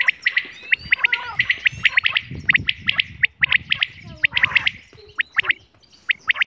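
Quail giving quick, sharp, high chirps in dense bursts and doubled notes, several every second, with a faint low rumble underneath.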